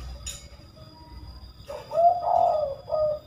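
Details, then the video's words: Rare spotted dove giving its kuk call three times: after a quiet start, a low hooting coo of joined, slightly wavering notes over about a second and a half, with a steady faint electronic hum behind. "Tekukur Kuk 3x, suara burung langka"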